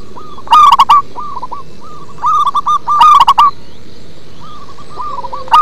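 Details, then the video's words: Local zebra dove with a deep bass voice repeating loud rolling coo phrases interspersed with softer runs of clipped coos, about two dozen phrases a minute, over a faint low background hum. "Perkutut lokal manggung ngebas"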